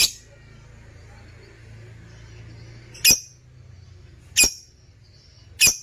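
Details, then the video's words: Lutino opaline lovebirds kept in a cage give three sharp, very high, clipped chirps, each separated by over a second of near quiet with a faint low hum. "Love birds sounds"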